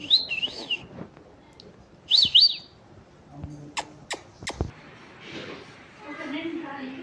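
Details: Talking pet parrot giving two short high wavering chirps early on, then scattered sharp clicks and taps, with a faint soft rustling murmur toward the end.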